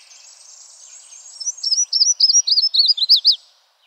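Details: Yellow-throated warbler song recorded in Arkansas. A faint, high, rapid trill opens, followed by about a dozen loud, clear, slurred high notes delivered quickly and evenly over two seconds before stopping abruptly.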